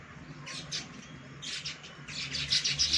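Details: Monsoon-season baya weavers at a balcony chatter in quick, harsh, high-pitched bursts that repeat several times within a few seconds and grow louder toward the end.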